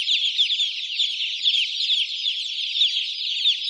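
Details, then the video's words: Many newly hatched chicks chirping together, a dense, continuous wash of shrill overlapping peeps with no pauses. "Chicks (and Chirping)"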